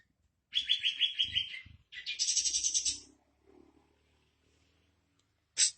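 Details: Sooty-headed bulbul singing to prompt caged birds to sing: a rapid rolling run of whistled notes, then a loud harsh buzzy chatter, a pause with faint low sounds, and a final sharp burst.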